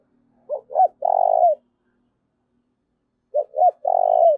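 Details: Repeated loud cooing of a spotted dove, used to lure wild doves. Two identical phrases, each of two short rising notes and a long even rolling coo, are separated by about two seconds of silence.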